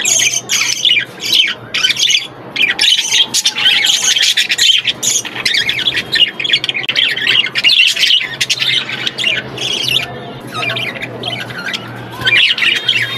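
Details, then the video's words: Aviary budgerigar chicks keep up a continuous noisy chorus of squawks and thin chirps, several birds calling at once with hardly any quiet gaps. "কিউট বাজিগর পাখির বাচ্চা"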